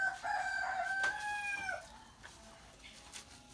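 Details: Rooster crowing in the morning: a loud, sustained harmonic crow of about a second and a half that drops at the end, then softer background bird sounds.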